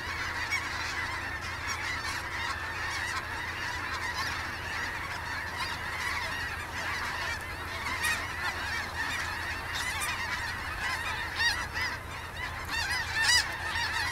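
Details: A large gathering of geese at the Sonny Bono refuge keeps up an unbroken chorus of honking, with many overlapping nasal calls and scattered louder honks from closer birds, over a low background rumble.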